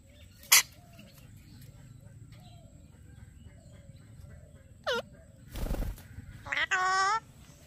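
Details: A talking Alexandrine parakeet, repeating the word "Metro" around this clip, gives a falling harmonic note, then a short run of harsh, voice-like rising calls near the end, after a mostly quiet stretch with a sharp click.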